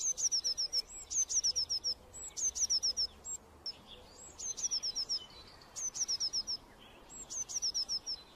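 A Eurasian blue tit sings short, high phrases of a thin opening note and a quick run of repeated notes, about six phrases, with faint other bird calls behind.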